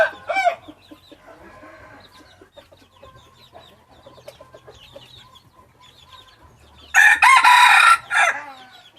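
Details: Busy chirping from small birds runs through the recording before a hybrid junglefowl rooster delivers a loud, sustained harmonic crow near the end, closing with a brief tail.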